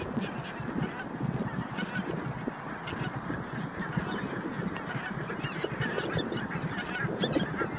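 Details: A bar-headed goose flock at Naardermeer, the Netherlands, on 9 March 2021 gives a steady chorus of overlapping nasal honks, with thin high chirps from small birds above.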